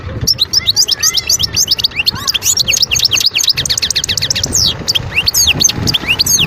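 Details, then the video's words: European goldfinch, a wild bird recorded in Skikda, Guerbaz, Algeria, 2022, pours out an unbroken, tinkling chatter of quick up-and-down slurred notes, high and lively throughout. "صوت الحسون البري(سكيكدة ڨرباز)twitter chardonneret"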